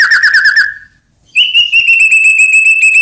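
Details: White-rumped shama song for provoking rivals: a fast buzzy trill, a short pause, then a sustained rapidly pulsed whistled trill.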